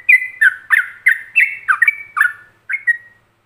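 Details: Yellow-vented bulbul singing Ropelan, a master song for training other bulbuls: a quick, chattering chain of liquid whistled notes, each dipping or rising, about three per second, trailing off with a brief pause and two final notes.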